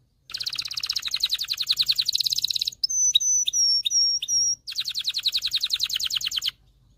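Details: Canary singing to train male canaries and prepare females for breeding: a fast rattling trill, a run of sharp descending whistled notes repeated about once a second, then another rapid rolling trill.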